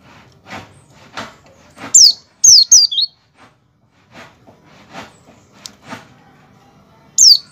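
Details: Oriental white-eye 'ngecal' calls, played to coax other white-eyes into singing: a burst of three or four high, sharp, downslurred notes in quick succession, a lone note later, and soft clicks and taps throughout.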